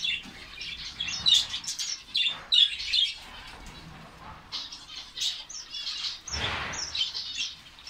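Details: Finches in a colony in Saudi Arabia calling with sharp squeaky chirps and brief twittering phrases, loud notes early then quieter chatter, with a rustle of wings near the end.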